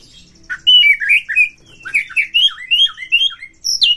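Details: Loud, excited Oriental magpie-robin, in full song to provoke fighting: a continuous run of clear, slurred whistled notes rising and falling, tumbling rapidly one after another and ending in a high sharp phrase.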